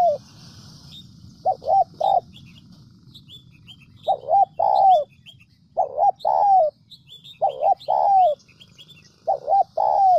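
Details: Recorded spotted dove decoy calling, meant to draw in wild doves and prompt them to coo: steady series of coo phrases, two brief notes followed by a drawn-out falling coo, over low background rumble and scattered thin bird chirps.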